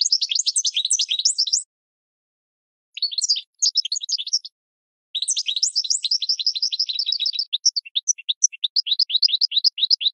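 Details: Goldfinch song for training cage birds: rapid twittering runs of high notes, a pause, then long jangling phrases of fast repeated chirps and rising slurred notes, sounding clean and close with no background noise.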